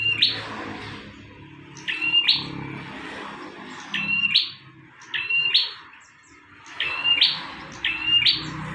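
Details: Energetic bar-winged prinia song recorded as a master for training birds: sharp, ringing paired notes given in bursts about every one to one and a half seconds over a steady low hum.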